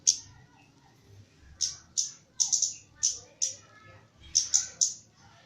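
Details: Trained caged Javan myna in lively song (gacor), delivering crisp high-pitched clicks, single and in quick pairs or triplets, separated by short gaps, with weak lower warbled notes and quiet background hum.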